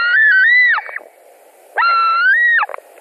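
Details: Two white-tailed eagles at their Latvian nest compete over a delivered fish, 22:00 on 17 July 2020: two sustained whistled cries, each starting lower, climbing gently and breaking downward at the close, with a silent pause between.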